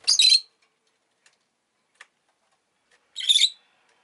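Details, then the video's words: Two piercing, rasping chirps from a pet rosy-faced lovebird, about three seconds apart, the first at the very start, with near silence and a few faint clicks in the gap. "Lovebird Chirping Sounds"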